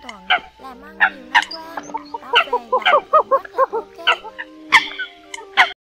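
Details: Eurasian coot chorus used as a trapping lure near the end of the season, with bursts of harsh honking calls, a quick run of short repeated notes in the middle, and continuous low tones.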